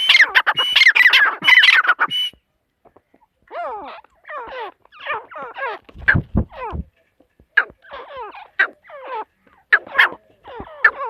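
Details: Female partridge calling: a loud, harsh, crowded burst of squawking notes, then a brief pause and a run of quicker, chirpy notes with downslurred and upslurred strokes, plus one low thump near the middle.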